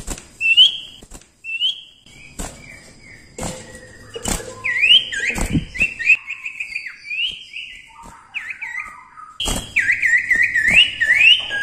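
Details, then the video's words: Common Iora singing lively as a training recording for songbirds: scattered whistled phrases building into varied slurred and upslurred notes, ending in a dense burst of bright whistles, with frequent sharp knocks and clicks. "cipoh gacor ampuh untuk masteran"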